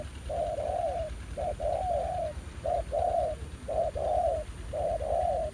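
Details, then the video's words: Repeated two-part cooing from a fairly aggressive new wild spotted dove drawn to a ground decoy at a trapping spot. A brief note leads into a longer mellow coo, about five phrases in even succession, with low rumble beneath. "Bẫy cu gáy mồi đất, ra lại bãi cũ sau 1 năm, gặp chú bổi mới khá hăng"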